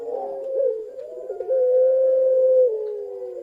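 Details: Captive Ringneck doves of the long-cooing pelung type, one female in the group: a low rolling, quavering coo runs into a long, smooth, sustained note, then drops into a softer tail, with another dove cooing faintly underneath.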